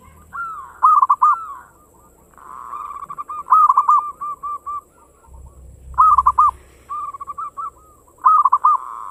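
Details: Local zebra dove singing fast as a lure for other doves: loud clusters of looped coos recur every couple of seconds, joined by softer purring trills and short note runs, with a brief low rumble.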